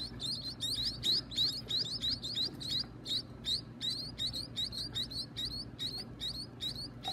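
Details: Young birds begging while being fed: a fast series of sharp, high, upward-flicking chirps repeated nearly three times a second throughout, with a faint low rumble underneath.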